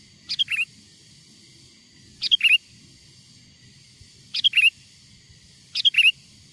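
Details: Sooty-headed bulbul lure sound taken from wild birds to bring others near: four loud, clipped phrases of quick chirping notes, each ending on an upslurred whistle, repeated roughly every one and a half to two seconds against quiet background hum.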